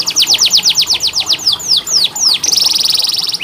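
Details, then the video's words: Canary song used as therapy and training for canaries that sing little: rapid series of bright descending whistled sweeps, then a fast buzzy rattle-trill near the end. "KENARI malas bunyi, Terapi untuk kenari masteran canary"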